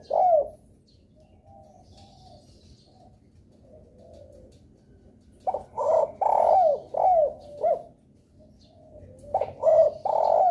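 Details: Spotted dove calling in the manner used to lure other doves into answering: a single coo, a long quiet stretch, then a five-note phrase of hollow downslurred coos and the start of another.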